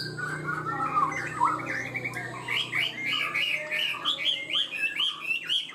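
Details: A Chinese hwamei sings high, loud, rich phrases of quick repeated slurred notes, a few per second, climbing higher toward the end and opening its beak quickly and steadily; a faint low hum sits underneath.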